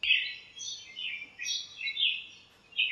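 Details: Birds chirping in a home backyard lemon tree on a sunny morning: a steady stream of high, slurred twittering notes rising and falling, with light background hiss.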